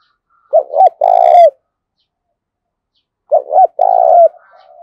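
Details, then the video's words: Spotted dove song of the 'thúc bổi' type, used to stir decoy doves: two loud phrases about three seconds apart, each a pair of short hollow notes then a long vibrating coo ending in a slight downslide. "Tiếng cu gáy thúc bổi, tiếng gáy để anh em tập bổi ngày m5, chim cu gáy tập bổi mới nhất"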